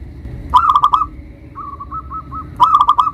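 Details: Loud local zebra dove singing as a lure to provoke rival doves: two bursts of fast, rolling cooing notes with a quieter, spaced run of soft coos between them.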